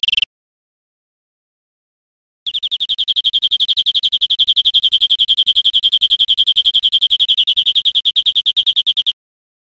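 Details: A European greenfinch (Chloris chloris) sings in Spain in 2013: after a brief opening note, a long, fast, even trill of metallic notes at a steady high pitch, held for about seven seconds.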